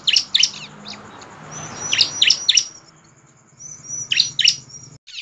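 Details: Bar-winged prinia singing steadily, used to make other prinias sing: quick doubled and tripled sharp chirps with drawn-out thin whistles, repeated in short groups over a soft low rumble.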